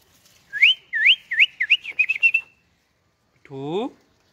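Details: Ringneck parrot sitting on a stem whistles a rising, repeated run of swooping notes that grow quicker and shorter, about eight in two seconds, then after a pause gives one lower, nasal harmonic squawk.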